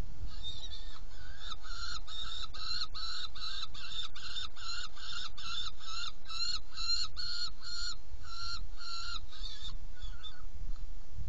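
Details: Feeding time at a saker falcon nest box, 17 June 2018, 10:31: a long, rapid run of some twenty hoarse, strident notes, evenly spaced and harsh-toned, over steady low background noise.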